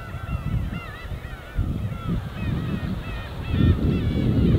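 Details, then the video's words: Winter gull flock over the East Sea coast of Korea: drawn-out wavering cries and shorter arched notes overlap throughout, while soft surf rumbles and swells louder near the end. "갈매기와 잔잔한 파도소리"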